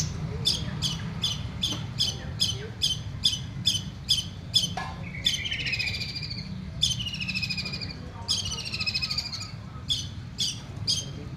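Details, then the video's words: Home-kept long-tailed shrike singing actively, giving a rapid series of sharp repeated notes followed by harsher, sweeping, rising phrases, with steady low background noise throughout. "Cendet gacor rumahan"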